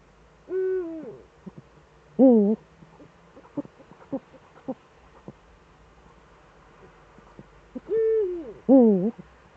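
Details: Eurasian eagle-owl in the Eifel, 11 March 2013 at 18:47, with both owls back, giving four drawn-out, hoarse, arching calls, two near the start and two near the end, with soft clicks and taps between.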